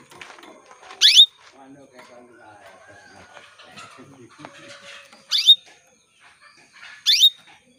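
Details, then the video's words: Female canary calling to males, used to stimulate males to sing. Three loud, brief upward-sweeping chirps come at uneven intervals over faint background chatter and rustling. "PANCINGAN KENARI BETINA MEMANGGIL JANTAN"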